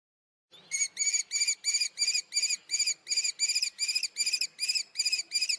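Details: Common kestrel in a sustained run of about fourteen rapid, piercing, repeated notes, steady in pitch and spacing, nearly three per second.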